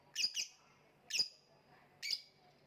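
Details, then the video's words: Lovebird with a quick pair of shrill chirps followed by two single harsh, high squeaks, each clipped and slightly ringing, in under three seconds. "voice of lovebird / Lovebird kicau"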